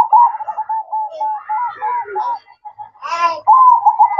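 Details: Zebra dove singing (manggung) at night: a steady run of short rolling cooed notes at one mid pitch, with brief louder harmonic calls rising above them partway through.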